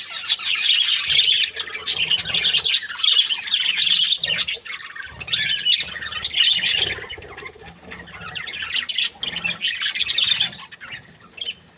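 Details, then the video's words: Happy breeding pair of Australian budgies in long, lively chatter of high buzzy squeaks and chirps, fading to sparser notes toward the end. "Happy budgie chirping sounds | Australian budgies breeding pair"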